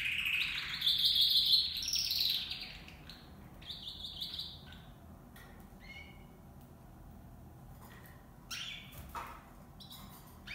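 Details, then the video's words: Male Copper Mosaic canary, kept with another male and two females in a hanging cage, opens with a loud high rolling trill, then softer scattered whistles and chirps, with brief sharp notes near the end; canary. "Kanarya Ötüşü (Bakır Mozaik Kanarya)"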